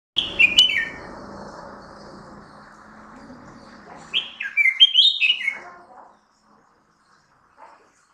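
A Red-whiskered bulbul gives a bright whistled note, then after a pause a quick bubbly phrase of four or five rising and falling notes. A faint low hum lies underneath.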